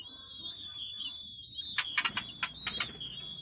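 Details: White-rumped shama chicks begging with thin, very high, drawn-out whistles while a parent feeds them; a burst of sharp clicks and rustles breaks in midway.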